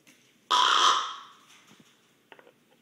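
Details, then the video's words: Captive common raven snoring while asleep, recorded at close range: a single harsh, hoarse rasp lasting about a second that fades gradually, followed by a few faint clicks and rustles. "Raven Snoring Close Up"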